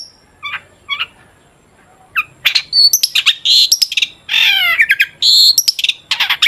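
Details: Long-tailed shrike song used to prompt shrikes to sing: a few spaced chips, then a loud tumbling mix of harsh rasps, squeaks and whistles, possibly borrowed sounds, delivered in quick dense bursts.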